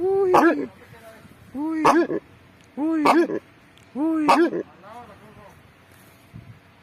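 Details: Horned screamer giving four loud, deep honking calls rich in harmonics, each rising then falling, spaced about a second and a half apart, followed by a fainter closing call.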